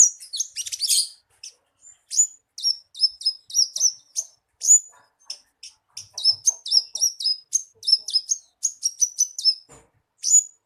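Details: Javan bushlark singing, meant as a lure to start a captive bird singing: a scratchy, tangled opening burst, then a long series of quick high chirps and twittered phrases with short pauses and faint clicks.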